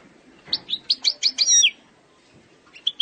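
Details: Algerian European goldfinch singing a flawless eastern-sector style song: a quick run of six sharp high twittering notes ending in a downward-slurred note, then silence and a couple of faint chirps.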